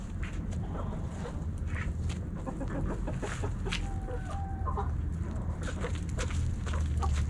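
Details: Backyard hens and roosters feeding on Thanksgiving snacks; faint, scattered clucks and one drawn tonal note near four seconds, mixed with clicks and a steady low rumble.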